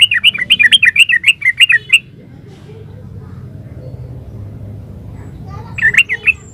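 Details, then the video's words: Yellow-vented bulbul singing in the fast, continuous gacor ropel style: a two-second run of bubbly, chirpy notes rising and falling, then a long quiet spell with low hum, and a brief final burst of the same chirps. "Suara burung trucukan GACOR ropel uplik"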